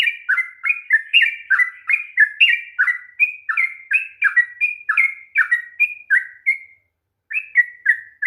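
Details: Sooty-headed bulbul in its long 'ropel' song, used as a lure to get a reluctant bird singing: fast, liquid two-note whistles in a dense run, a short gap, then a few more phrases.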